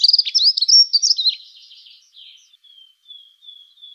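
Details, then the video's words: Dunnock song: a quick, high warbling jumble of thin squeaky notes for just over a second, trailing off into faint high tones in otherwise quiet surroundings. "Как поет Завирушка лесная Prunella modularis"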